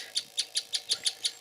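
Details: Singing and wing-spreading display of a grey-headed kingfisher, possibly calling for a mate, Meru National Park, January 2024; a steady run of seven crisp, high notes about every fifth of a second.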